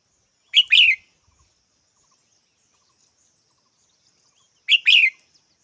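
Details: A red-whiskered bulbul calls twice, each a quick two-note chirpy burst, the second note longer and slightly falling, separated by four seconds of near silence over a faint high hum.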